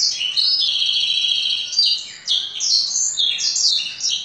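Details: A caged canary trained in the full blackthroat song style delivers a bright, continuous run of ringing high notes. Level trills give way to rapid rising and falling whistled phrases, sung loudly and close.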